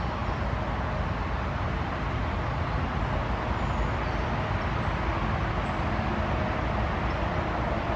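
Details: Steady roar of passing road traffic fills the whole stretch, with no animal calls standing out.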